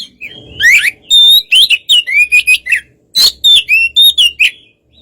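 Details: Provoking song of a white-rumped shama: clear whistled notes, some rising steeply and some held flat, delivered in quick series with buzzy harmonics and a short break midway.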